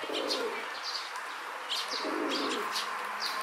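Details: Courting rock dove in a park, a male swelling his throat at a female: two low, murmuring coo phrases under a busy layer of high-pitched chirps from other birds.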